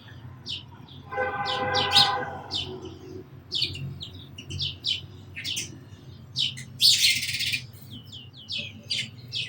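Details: Among birds, sparrows give sharp, high chirps scattered through the clip. A buzzy, lower harmonic call sounds briefly near the start, and a burst of rushing noise comes midway.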